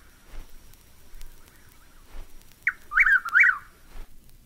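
Chuck-will's-widow gives its rolling whistled phrase, a soft opening note followed by loud, swooping whistles, with faint clicks and low background hiss.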